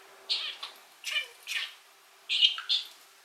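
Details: Male rainbow pet budgerigar giving a few loud, slightly harsh chirps in two groups, each a short noisy note with a tonal tail, separated by about a second of quiet, recorded from a distance.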